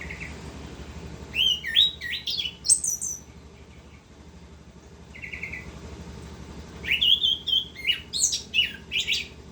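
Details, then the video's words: Orange-headed thrush in continuous ngerol song. Rapid, varied whistled phrases with high slurred sweeps and chirps come in two bursts, separated by a quieter pause holding a short trill. Faint low hum in the background. "Anis kembang gacor ngerol"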